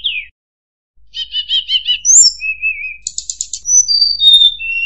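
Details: Sunda robin (tledekan) used to tutor contest shamas: a falling whistle, a silent gap, then a rapid buzzy pulsed series, warbled mid-pitch notes, another buzzy burst and clear whistles stepping downward.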